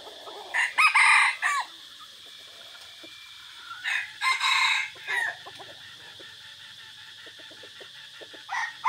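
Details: Red junglefowl kept as a decoy bird, recorded on 3 April 2024 during a forest outing, crowing twice in loud harsh bursts about three seconds apart, each rising then breaking off, with a third crow starting at the end and faint clicks between.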